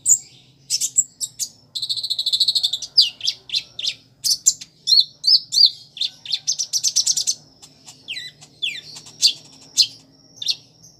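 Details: Long, energetic gacor song by a kept Kolibri Ninja with mimicry of prinia, house sparrow and chicks; dense trills, buzzy rattles and sharp chips follow one another almost without break, with a few downslurred whistles near the end.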